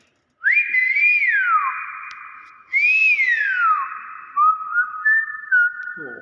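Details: Nias hill myna in its natural voice, whistling pure slurred phrases: a rising note that holds and then falls, a second rise-and-fall sweep, then several short level whistles stepping between two pitches.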